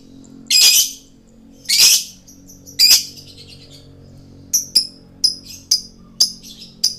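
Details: Male lovebird singing actively, used as a bird-luring recording: three loud, harsh, broadband squawking bursts, followed by a run of short, sharp, high chirps repeated roughly every half second over a low background hum.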